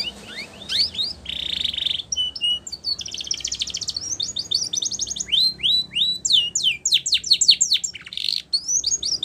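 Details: Canary singing a Spanish Timbrado-style training song: a fast, unbroken run of high trills, metallic rolls and rising whistled notes, each phrase lasting about a second before switching to the next.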